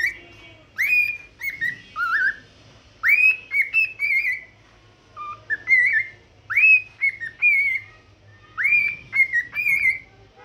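A cockatiel whistles a run of clear, slurred notes, each swooping up then falling, in bursts about a second apart. A faint low hum sits underneath.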